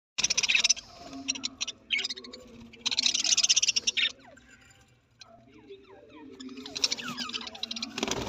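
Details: Budgerigar chatter: bursts of harsh, buzzy, scratchy warbling mixed with quick clicks and short descending chirps, pausing briefly between rapid runs.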